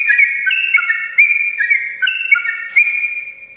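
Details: Morning song of a sooty-headed bulbul in fast, continuous delivery: bright whistled notes jumping between two or three pitches in quick succession, without pause, over a faint constant hum.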